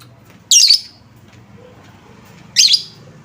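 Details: Lovebird lure recording meant to make other lovebirds answer: two short, harsh, high chirps about two seconds apart, each a rough buzzy burst, with quiet low hum between them.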